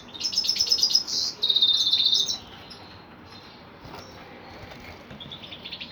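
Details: Male goldfinch (kalu putha) gives a burst of rapid high twitters and a buzzy trill for about two seconds, then falls to faint scattered chirps over a quiet hiss.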